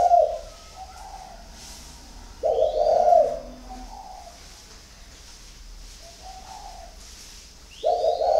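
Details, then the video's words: Spotted dove of the thổ khách type, cooing in the 'có vấp' style with a stumbling hitch: loud, low, mellow coo phrases about five seconds apart, with softer trailing notes between them. Faint higher chirps are heard in the background. "Chim Thổ khách có vấp"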